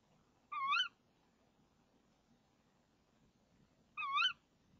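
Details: Female tawny owl inside a nest box at 05:28 in late March 2014, calling while waiting for the male, who brings a frog. Two matching harsh, warbling calls sound roughly three and a half seconds apart over quiet hiss.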